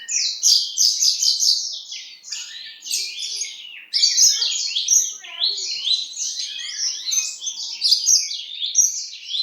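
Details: Horsfield's bushlark from East Java, described as a diligent singer, delivers a fast, varied song of high twittering and chattering phrases with rapid shifts in pitch. The song pauses briefly near the middle, then carries on.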